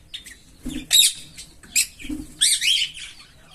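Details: Green Fischer's lovebird pair, captive, giving a few loud harsh chirps in quick bursts, separated by short pauses, with soft low thumps between them.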